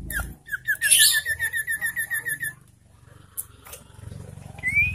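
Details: Ashy tailorbird lure call used to provoke rival birds, stimulate breeding condition and make silent birds start singing: a rapid even series of about fifteen clipped notes with a buzzy high trill above, then a rising whistle at the end over a low hum.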